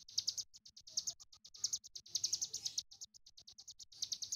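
A Sunda bush warbler sings a fast, continuous stream of high, thin chirps and twitters, packed several notes per second with only brief pauses.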